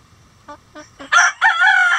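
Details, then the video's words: Chicken from a mixed flock of egg-laying breeds in a coop: a few short low clucks, then a loud, harsh, drawn-out crow in two rising-and-holding phrases. "Relaxing Chicken Coop Sounds"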